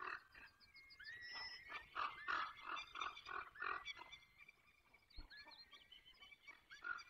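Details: Peregrine falcon calling at 8:20 on 24 April 2021 in the Barycz Valley: a fast, uneven series of rough, nasal notes, about three a second, over clear whistled songs of other birds.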